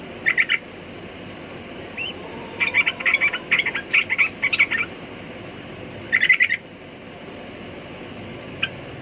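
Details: Sooty-headed bulbul giving short clusters of sharp chirped notes, a brief slurred whistle, then a run of bursts mid-clip and one more cluster near the end; faint steady hiss throughout.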